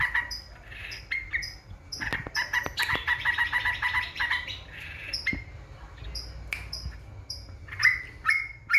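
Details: Yellow-vented bulbul singing as bait to provoke opponents. Short bubbly bursts separated by pauses build into a dense run of rapid chattering notes around the middle, then thin out again. Occasional loud clicks.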